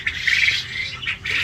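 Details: Many farmed quails on a large quail farm in Kalihati, Tangail, giving a dense chorus of overlapping high, harsh chirps and squawks with no pause.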